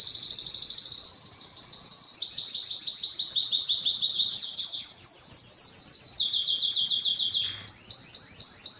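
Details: Belgian canary singing loudly to draw females for breeding, a long chain of fast high trills shifting pitch tour after tour, briefly broken near the end before resuming.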